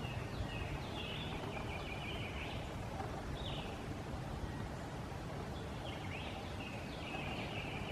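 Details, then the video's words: Acadian Flycatcher in Liberty County, Texas, on May 6, 2017, gives short, high, chattering calls in scattered bursts, some slurred, as it flies, over a steady background rush of low rural noise. "Acadian Flycatcher (Empidonax virescens) Calling, Coughing up a Pellet and Chattering as He Flies"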